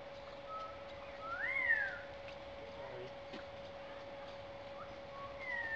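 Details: A male Indian peafowl during his courtship display gives a loud, cat-like wailing cry that rises then falls, then a shorter cry near the end, over a steady droning hum.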